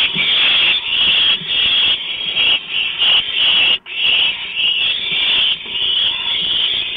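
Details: Several owlets after a large rodent was delivered to them, 23 March 2015 shortly after midnight. Harsh, overlapping hissing screeches run almost without a break. Brief gaps are few, with one sharp dropout near the four-second mark.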